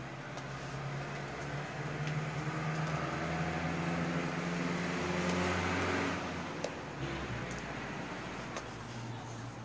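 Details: Steady low mechanical hum, like a fan or engine running indoors, swells slightly near the middle, with no animal calls.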